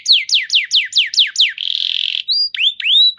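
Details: Canary song meant to draw other canaries into singing: six quick downslurred whistles in a row, a short buzzy rattle, then rising clear whistled notes.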